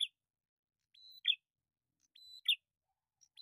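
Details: Bar-winged prinias, male and female, noisily answering each other in a lure recording: each phrase is a steady high piping note ending in a harsh, scratchy chirp, repeated about every second and a quarter.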